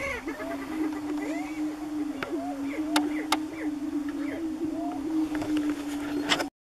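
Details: Lekking greater prairie-chickens near Wray, Colorado, April 2015: low droning booms throughout, with frequent short rising cackles and yelps at varied pitches and a couple of sharp clicks, ending abruptly.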